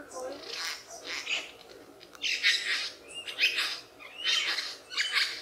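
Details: A mimicking lyrebird delivers high, scratchy bursts of notes, irregularly spaced about a second apart, with a few brief upslurred whistles woven between the raspy phrases.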